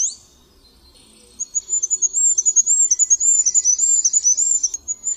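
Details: Very high-pitched Goldcrest (Regulus regulus) phrase: after a brief opening note and a quiet gap, a fast run of thin, cycling, needle-like notes continues to the end.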